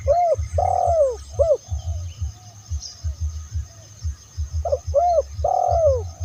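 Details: Spotted dove cooing as a lure for its kind: two phrases of curved coos, each with a longer central note, over a constant low pulsing thump.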